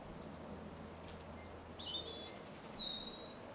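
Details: Recently hatched great tit nestlings in a nest box at sunset on 2 May 2016 give a few faint, very high calls, some sliding downward, over about a second and a half, against a steady low hum.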